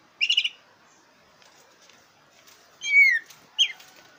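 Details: Black-breasted oriental magpie-robin song, used to provoke birds in song contests: a short stuttered rattle, a long pause, then a bright descending whistle and a brief harsh note over faint background hiss.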